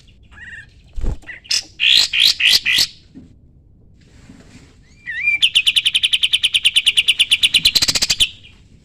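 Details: Sooty-headed bulbul song used to train other songbirds: a few harsh, scratchy notes, a pause, then a rising whistle opening into a long, fast, steady series of high repeated notes.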